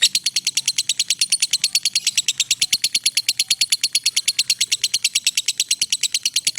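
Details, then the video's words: Long ngekek trill of a lovebird, intended as a master recording for training: an unbroken, evenly pulsed high-pitched chattering, roughly three beats a second, steady in loudness throughout, with a faint low hum beneath. "suara Lovebird ngekek panjang"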